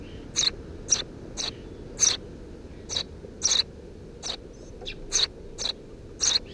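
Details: Three Eurasian tree sparrow nestlings in a nest under a house roof, 2 June 2017, give short bright chirps, about a dozen over six seconds, spaced irregularly, some doubled, over a steady low background hum.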